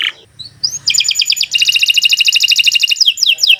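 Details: Canary (Kenari Nusantara) starts with soft scattered notes, then a rapid, high, rattling trill of pulsed notes that ends in several quick downward-slurred whistles.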